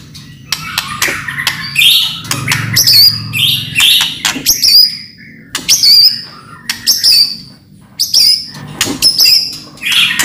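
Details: Loud white-rumped shama song of the kind used to draw other shamas into singing: varied high whistles sweeping downward and harsh chattering phrases in irregular bursts, with brief silences between them.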